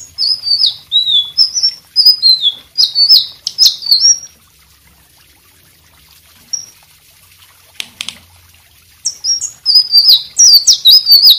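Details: White-rumped shama song played for other birds to learn: bursts of high whistled, slurred notes, a long pause with a few clicks, then the rapid whistling resumes.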